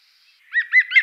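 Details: European green woodpecker filmed in France: three loud, ringing notes in quick succession, each slightly arched, following a faint high thin whine at the start.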